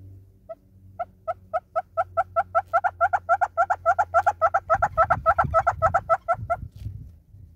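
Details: Singing southern red-billed hornbill in South Africa: single clucks begin spaced out, then speed up into a rapid, louder, doubled-note series of around thirty notes, with low rumbling noise near the end.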